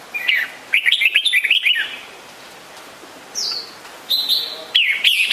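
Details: Red-whiskered bulbul singing jaunty warbled phrases of quick up-and-down chirps, a first phrase of nearly two seconds, then a pause and several more bright, slurred bursts of notes.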